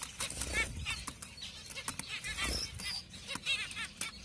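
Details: Pastel zebra finch giving brief nasal calls at uneven intervals, some doubled, with faint human voice and low rustling behind.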